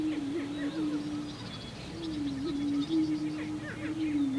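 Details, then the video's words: Male prairie chickens displaying at a spring lek booming ground, inflating orange throat air sacs to boom in a low, hollow, droning moan that overlaps into a near-continuous hum, with faint higher clucks and chirps scattered above. "Prairie Chicken"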